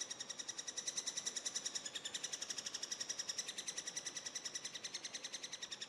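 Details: Eurasian three-toed woodpecker young begging during feeding: a continuous, rapid series of high, thin, harmonic chirps, about three to four per second, steady and unbroken throughout.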